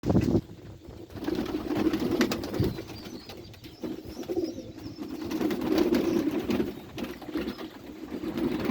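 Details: Several pet pigeons cooing: low, throaty, rolling coos repeat through the whole stretch, overlaid with frequent sharp clicks and knocks of handling or movement.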